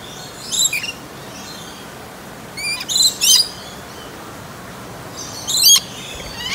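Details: Australian rainbow lorikeets drinking nectar at Busch Gardens in Tampa Bay, Florida, giving a few short, shrill, high screeching notes in small clusters with quiet gaps between, over a soft background hiss.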